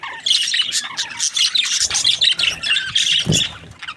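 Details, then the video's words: A flock of budgies chirps in busy, raspy chatter punctuated by sharper squawks, the calling pausing briefly near the start, with a low knock toward the end. "Budgies Parrot chirping sound | parakeet sounds"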